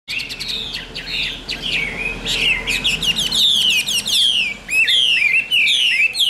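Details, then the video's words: Caged Chinese hwamei with a yellow bill, offered for sale, singing a rich run of loud, varied whistled phrases that slur up and down, delivered rapidly with brief gaps between bursts. "HM 1534 - CHẤT GIỌNG CỰC PHÊ"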